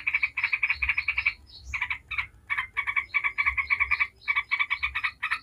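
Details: Yellow-vented bulbul giving ngebren-style lure song to set other bulbuls singing: rapid runs of chattering, bubbly notes broken by a short rising squeak and brief gaps, soft hum beneath.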